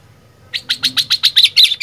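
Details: Sooty-headed bulbul (kutilang) in lively 'gacor fighter' singing style: a quick run of about nine sharp, bright chirped notes, repeated roughly every eighth of a second, with a faint low hum underneath.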